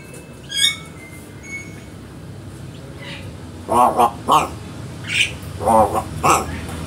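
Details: Crow imitating human speech, recorded as a training recording. Hoarse, voice-like syllables in short clusters of two or three, with faint high chirps from other birds early on and steady background hum.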